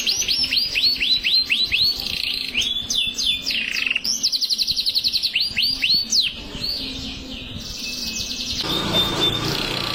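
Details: Canary singing continuously, ready for competition: rapid repeated whistled sweeps, a high buzzy trill and more descending whistles, then a thin sustained high tone over a background hiss.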